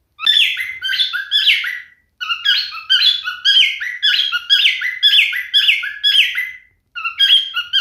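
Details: Male cockatiel singing: harsh, squawky chirps that slide downward in pitch, grouped in rapid runs of three or four with brief gaps between groups.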